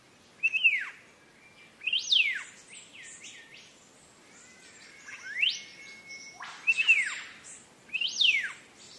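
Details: Singing green leafbird, played as a model for training cage birds: loud, ringing whistles that swoop up and then slide down, repeated about every one and a half to two seconds, with softer twittering notes in the gaps.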